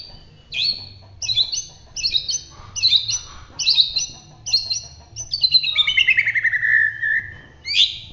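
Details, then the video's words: Actively singing white-rumped shama of the Bahorok type, Medan area, roll tembak style: short chattering phrases repeated about once a second, then a long rolling run of notes descending smoothly, closing with a rough burst. "suwara murai batu Bahorok gacor roll tembak"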